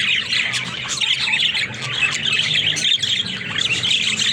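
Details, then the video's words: Several pet budgies, described as talking, keep up continuous busy warbling: rapid high chirps, clicks and short squawks overlapping without pause. "Funny Talking Budgies"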